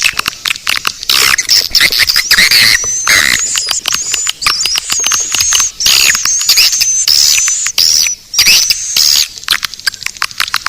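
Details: Lure sound meant to draw swiftlets, in the Naga Birahi style: rattling clicks with a run of clear, high, level whistles in the middle, each ending in a small upturn, followed by brief gaps.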